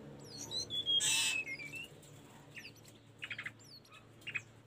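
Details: Sunda robin singing, for teaching caged birds: thin high whistles falling in pitch, a loud noisy burst, then short scratchy chirps in separate clusters over a low humming background.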